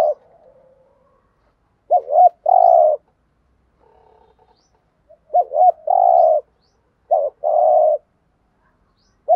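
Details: Repeated thúc gù cooing of a spotted dove, sung to lure wild doves: three phrases, each two clipped rising hoots and a drawn-out buzzy coo, spaced a few seconds apart, with faint soft sounds between.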